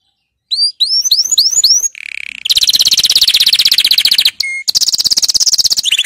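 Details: Canary training song: five rising chirps lead into a soft buzzy note, then long loud rapid trills pulsing about four times a second, cut by a brief pure whistle, ending in a lower trill.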